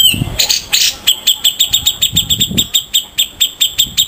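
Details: Harsh 'besetan' song of grey-cheeked bulbul, local and Sumatran birds: a steady string of strident, clipped chak notes about five per second, with faint low thumps beneath.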